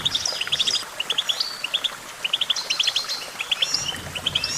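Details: Goldfinch singing a fast, tinkling stream of sharp chirps in quick clusters, mixed with thin rising and falling whistled trills, steady throughout with little background sound.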